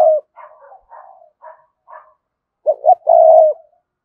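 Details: Spotted dove cooing to lure wild doves. A coo ends at the start, then soft broken higher notes follow. A clear phrase of two rising notes and a long low steady coo comes next.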